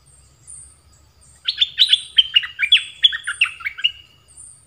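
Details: Captive red-whiskered bulbul used as a decoy to lure and catch wild birds, its first catch after molting. It gives a quick burst of clear, warbling whistled notes lasting about two and a half seconds over a faint low hum.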